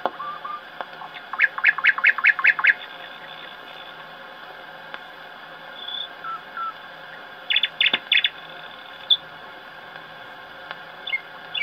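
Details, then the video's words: Thrush nightingale (Sprosser) singing in Karl Reich's aviary, Bremen, Germany, in an early 1910 recording: a fast run of about seven loud, hard repeated notes, then a shorter burst of rattling phrases, over steady hiss and hum. "The song of a Sprosser (field nightingale)"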